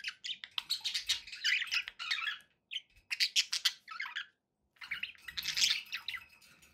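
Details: Pet budgies giving harsh, scratchy squawks and rasping chirps in dense bursts separated by short gaps, the last burst loud and grating.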